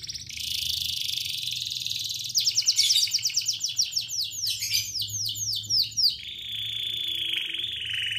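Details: Canary in long, energetic gacor singing, recorded as master song for tutoring young canaries and ones that stopped singing: a dense high buzzy trill, then rapid downward-sweeping whistled notes in quick succession, ending in a sustained high buzzing trill.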